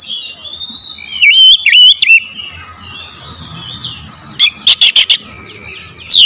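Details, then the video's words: Oriental magpie-robin lure song: soft warbling, a loud wavering whistled phrase, quieter chatter, then a rapid series of four sharp clicking 'shot' notes. "PANCINGAN KACER POWER JELAS TEMBAKAN PEDAS"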